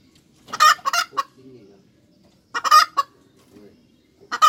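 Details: Hen cackling: loud, raspy paired squawks followed by a shorter note, repeating about every two seconds, with soft low murmuring clucks in the pauses.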